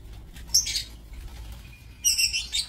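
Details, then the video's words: Lovebirds in an aviary, recorded 7 April 2024: two bursts of shrill, harsh high chirps, one near the start and a longer one near the end, with a quiet gap and low background hum between. "Aviary Lovebird"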